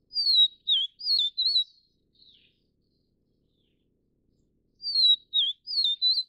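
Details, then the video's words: Vivid Niltava (Niltava vivida vivida) feeding young in Taiwan's montane broadleaf forest gives a four-note whistled phrase, a faint soft note after it, then the same high slurred phrase again near the end. "黃腹琉璃-育雛/Vivid Niltava-Feeding chicks"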